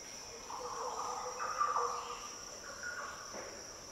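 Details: Green Oriole (Oriolus flavocinctus) in the Daintree rainforest, tropical northern Australia, giving its deep, liquid, fluty song as low, gurgling phrases in two short bursts, over a steady high insect drone.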